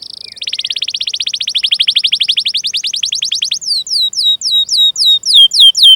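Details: Canary training-lure song: a fast rolling trill of rising notes that quickens and dips, followed by slower, separate, loud downslurred whistled chirps.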